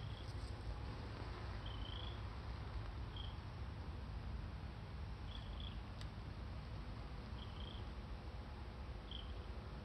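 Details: Red-crowned crane chick, Akan International Crane Center, 31 August 2020: six short high whistled peeps scattered through the recording, some slightly drawn out, over a persistent low rumble with a single faint click.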